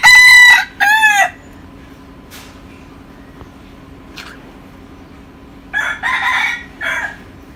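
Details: A native Thai game rooster from Mae Hong Son gives loud, harsh crowing phrases with rich harmonics, one pair at the start and another near the end, with a low steady hum throughout.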